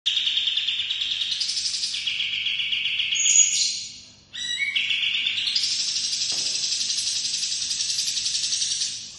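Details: Bird of the kind locally called kapas tembak, in a long rolling song used as a master recording: dense, continuous high trills that hold steady, then step up and down in pitch, with one short pause midway and no other clear sounds.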